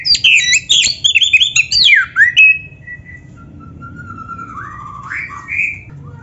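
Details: Oriental magpie-robin training song: a fast, tumbling series of high chirps and falling slurs, followed by a long, drawn-out whistle that wavers and then curls upward at the end.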